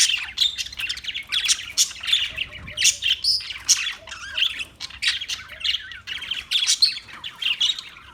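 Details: Parakeets chirping and squawking continuously, with many overlapping sharp, high chirps and short harsh notes in a busy, dense chatter.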